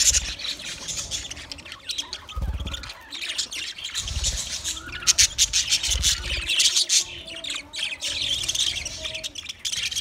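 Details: Twenty pairs of budgerigars chattering together: a dense, continuous wash of high, scratchy chirps and warbles, with occasional low thuds from movement.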